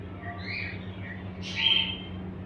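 A cockatiel gives soft warbling chirps, then a louder, sharp whistled call over a low hum.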